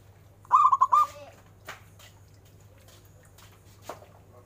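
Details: [3, 'Local zebra dove with a notably big voice. It gives a single phrase of four or five fast, rolling coo notes with a brief trailing tone. Scattered clicks and light rustling fill the rest.']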